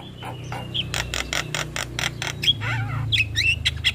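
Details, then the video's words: Javan myna lure song for stressed, silent birds: evenly spaced rasping bursts, then thin pure whistles and twisting notes, over a low droning hum. "Suara Pancingan Jalak Kebo"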